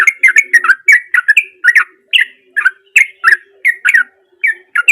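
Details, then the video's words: Natural-voiced sooty-headed bulbul singing energetically, used as a lure to prompt a silent bulbul to sing: quick run of jumbled, liquid chirps and warbled notes with short gaps, a faint low hum behind. "Trucuk Gacor Cocok Buat Pancingan Trucuk Bisu"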